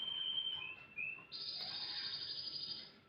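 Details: Canary singing in the morning: short whistled notes stepping lower, then a long bright sustained trill held steadily at high pitch for nearly two seconds before fading.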